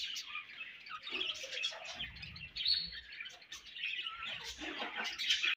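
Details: Chattering budgie: an unbroken stream of high, rapid warbled chirps with squeaky, scratchy notes and short rising twitters, steady in loudness throughout.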